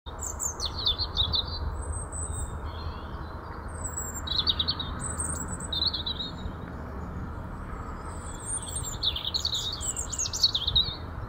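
A robin sings high, thin, warbling phrases, each varied and broken by short pauses, over a steady low rumble.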